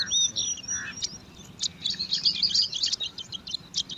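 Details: Bar-winged prinia nestlings, five chicks in a grass nest, scramble for food with a dense chatter of high squeaky chirps and thin whistles, rapid and uneven, over a low background hum.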